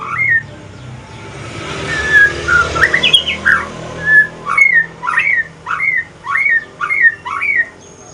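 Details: Male Aceh white-rumped shama singing in the evening while changing to pastol style: a few varied whistles through a hissy background, then a steady run of sharp upslurred whistled notes, about one every half second.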